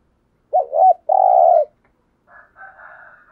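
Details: Decoy spotted dove calling to attract wild doves: a wavering double note leads into one long, even, throaty coo, followed by a quieter, higher purring sound.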